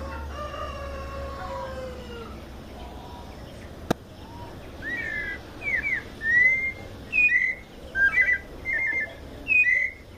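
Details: Mateiro-style song of a white-necked thrush from São Paulo state, Brazil. Clear whistled and trilled phrases begin after a quiet start with low background hum and a sharp click, then repeat roughly every second.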